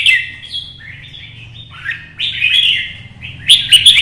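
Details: Red-whiskered bulbul from Vietnam singing competitively to provoke other birds: a chain of clear warbled notes gliding up and down, ending in loud chattering, with a soft low hum behind.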